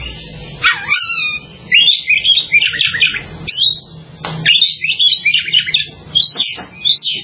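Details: Oriental magpie-robin song of rich, rapid whistled phrases and buzzy chatter, delivered in bursts roughly every second or two with short gaps, over a faint low hum.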